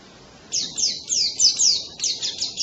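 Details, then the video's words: White-eye giving a loud, canary-like song: after a brief silence, a series of high, thin, sharply descending whistled strokes follows in quick succession, about three to four each second, bright and piercing. "kicauan keras pleci rasa kenari"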